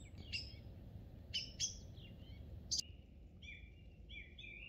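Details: Song thrush singing in spring, Monte Baldo, Trentino, Italy: sharp high squeaks and a harsh note, followed by softer, thin whistled notes repeated in short series, with a steady low background rumble.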